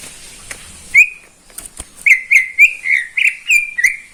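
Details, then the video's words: Morning singing from a neighbour's caged greater green leafbird: one whistled note, a short gap with faint clicks, then a rapid run of about eight rich whistles with rising flicks. "Kicauan cucak ijo di pagi hari"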